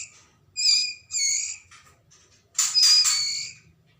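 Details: Juvenile white-rumped shama of the Medan variety, Lamongan, East Java, gives two nasal, buzzy calls, then a louder, rougher hissing outburst with a thin whistle inside it.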